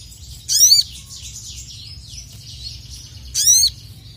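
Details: Two loud, harsh, stacked rasps about three seconds apart from a heavily singing sogon, the crested jay, calling out opponents. Quieter, rapid, high chirping notes fill the gap between them.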